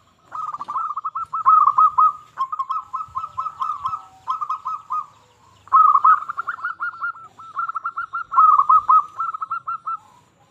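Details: Zebra dove of local stock singing keenly, used to lure other zebra doves into song and stir their excitement; long rolling phrases of quick, trilled coos on one level pitch, two main bouts separated by a short silence.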